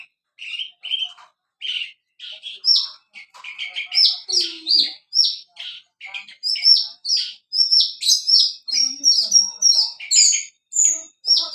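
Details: Javan bush lark, a captive bird dancing on a rock, singing a varied run of short high chirps and trills, some repeated notes and buzzy bursts, in rapid phrases with brief pauses throughout.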